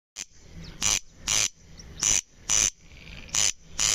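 Corn crake giving its dry, rasping double 'crex-crex', each pair of harsh scrapes repeated about every second and a half, over a thin steady high hum.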